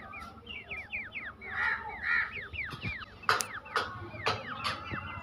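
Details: Black francolin chicks calling near a female in forest: rapid, overlapping, falling peeps, interrupted by several sharp clicking knocks.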